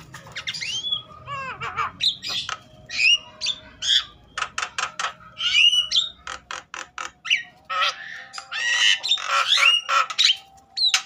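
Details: Agitated Javan myna singing loudly to encourage other mynas to sing: a long, varied string of clicks, harsh squawks and short whistles, delivered in quick, uneven bursts.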